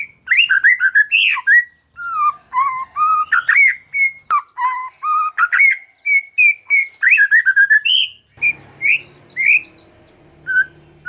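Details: Oriental magpie-robin singing varied competition-style phrases, used as a lure for a bird that stopped singing: rapid whistles, slurs and chatter, with a low hum entering near the end.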